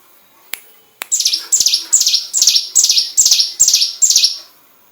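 Hill prinia delivering a run of seven loud, high, slurred notes, each dropping in pitch, about two per second, after a couple of sharp clicks.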